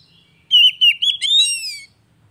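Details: Oriental magpie-robin song played to stimulate a bird that has stopped singing: a sustained, warbling whistled phrase with quick pitch wobbles, ending in a rising, harmonic-rich note.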